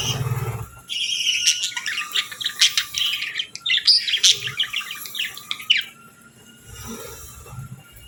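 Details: Captive budgerigars on a calm morning in natural light, eating and bathing, including a female chirping gently: dense, rapid, high-pitched twittering and warbled chirps in a steady stream that fades out, over a faint constant hum.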